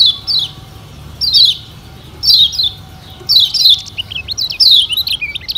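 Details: Yellow white-eye of Lombok singing as a lure: spaced pairs of quick descending high chirps, then a denser run of zigzag twitters toward the end, light background hiss.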